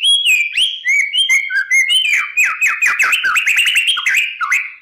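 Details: White-rumped shama lure song, played in the morning so other shamas reply: a steady stream of quick whistled notes with downward and upward flicks, lively and unbroken.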